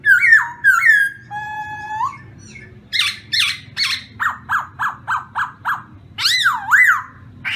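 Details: Black-throated laughingthrush singing a varied sequence: swooping whistles, a long level note, a quick run of bright chopped notes, then loud looping rise-and-fall phrases.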